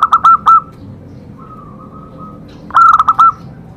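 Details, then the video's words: Zebra dove song, played as training material to stimulate other zebra doves to sing: a quick burst of four clipped, bright cooing notes, then a long steady hum-like tone, then another rapid burst of clipped notes over a low background hum. "Cocok untuk terapi semua jenis perkutut pasti nyamber"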